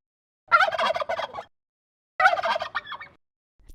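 A turkey gobbles twice, each a rapid, rolling, throaty burst lasting about a second, separated by a short silence.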